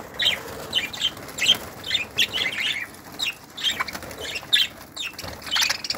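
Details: Flock of budgerigars in a breeding aviary, recorded in 2018, giving steady rapid chirps and squeaky notes, several each second, overlapping in a busy chorus.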